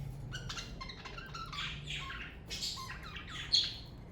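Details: Pet parakeets from a budgerigar family warbling: clear whistled notes slide up and down, mixed with scratchy chatter and a low hum beneath, ending in a sharp squeak.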